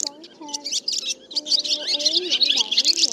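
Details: Swallow flock call for gathering birds to roost, used to lure them into nets and glue traps. Busy, rapid high chirps pour out over soft, sliding lower whistles that bend up and down.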